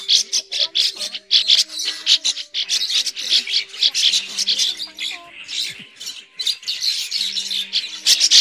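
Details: Migrating red-billed starlings used as a trapping lure: busy, overlapping harsh chirps and chattering from a flock, pouring out steadily for over eight seconds, with faint sustained low tones behind.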